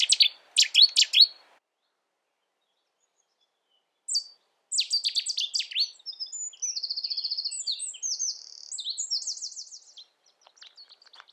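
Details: Cetti's warbler in the UK: a brief burst of sharp high notes, a pause, then a loud rapid run of clipped chirps and repeated whistled phrases lasting several seconds before fading out.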